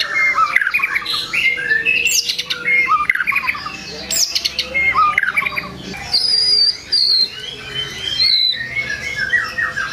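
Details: White-rumped shama song meant to provoke rival shamas: dense varied phrases of whistles, rapid rattling trills and high sweeping notes, switching quickly between low and very high pitches with short pauses.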